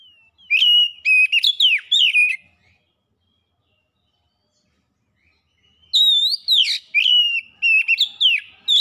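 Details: Lively oriental magpie-robin song, meant to lure birds into singing: two loud bursts of varied whistles, trills and harsh chips, each lasting about two to three seconds, with silence between them.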